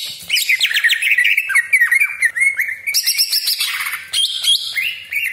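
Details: Greater green leafbird singing as a provoking lure bird, a loud continuous stream of quick down-slurred whistles and rough scratchy chatter, the phrases shifting upward into harsher, higher rattling passages.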